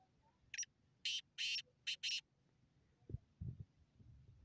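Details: Kala teetar, the black francolin, gives a rasping rhythmic phrase of five coarse buzzy notes, a short first note then longer ones and a quick final pair, over about 1.7 seconds; soft low thumps follow.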